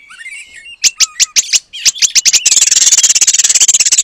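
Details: Oriental magpie-robin with long-tailed paradise bird material: soft whistles lead into about a dozen sharp high notes, followed by a sustained, very rapid buzzy rattle.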